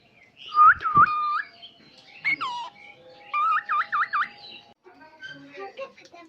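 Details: A talking pet cockatiel whistles and chatters in clear, tonal phrases, some wavering up and down like mimicked speech.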